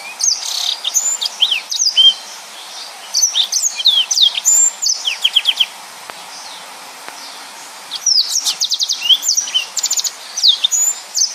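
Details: Yellow-fronted canary, a lively tutor singer for other birds, pours out high swooping whistles and fast buzzy trills in two long phrases with a quiet gap between them.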